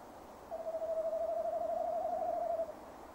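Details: Male tawny owl, nest box camera, winter evening 15 December 2015; one sustained hoot of roughly two seconds, steadily pitched with a fast rhythmic quaver throughout, then silence.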